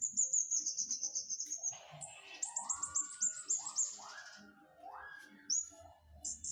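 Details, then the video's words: Flowerpecker singing vigorously: a fast run of very high, thin ticking notes for about two seconds, then more high chips in quick bursts, with lower slurred rising whistles from another bird between them. "Burung cabe cabean gacor"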